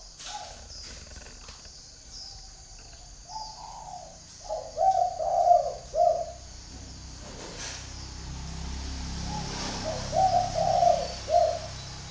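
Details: Spotted dove kept as a decoy bird in northern Vietnam, calling to wild doves: soft low cooing phrases in two bursts, each of several hoarse notes, with a steady high hiss behind.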